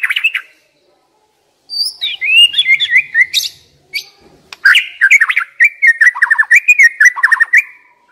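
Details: White-rumped shama (Copsychus malabaricus), song.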